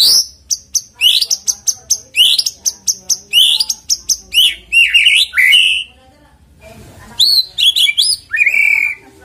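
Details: White-rumped shama song used as a lure to get birds singing: a fast run of sharp, high chip notes repeated evenly, then varied rich whistled phrases, rising and falling slurs, with brief pauses between bursts.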